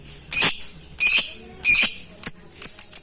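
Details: Lovebird calling out to a rival, used to provoke lazy singers into calling; harsh, high screeches in four loud bursts, then a quicker run of short, sharp chirps at the end.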